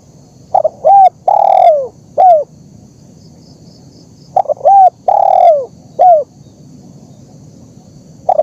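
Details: Spotted dove (terkukur) in a training recording: two repeated phrases of stuttering short notes, a long mellow coo gliding down, and a short closing coo, with a quiet gap between.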